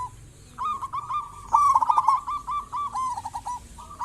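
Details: Zebra dove of the local type, calling actively in a recording meant to draw other zebra doves into calling. A steady run of rapid trilled coos, a loud beaded stretch in the middle, then softer repeats.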